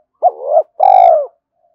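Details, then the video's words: Spotted dove cooing to provoke wild doves to fight and lure them in: a clear two-part phrase, a short hooked note swelling into a held coo, then a longer, slightly falling coo, in silence. "tiếng cu gáy thúc Đấu và gáy gọi bổi rừng"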